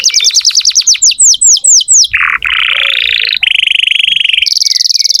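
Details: Canary song used to get young or stalled canaries singing: a steady run of about twelve falling whistled notes, then a burst of low buzz and long rapid rattling trills at differing pitches.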